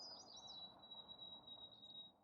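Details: Migrant white-throated sparrow passing through early successional habitat at the Audubon Vermont office, moving further north to nest, sings faintly in the background: a long, pure, high steady whistle with a few wavering notes at the start, over an outdoor hush.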